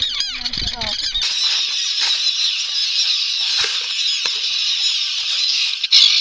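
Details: Common terns at a noisy, chaotic nesting colony on Ram Island during a 2015 nest census, a dense continuous chorus of harsh high calls from many birds, with brief handling noises at the start.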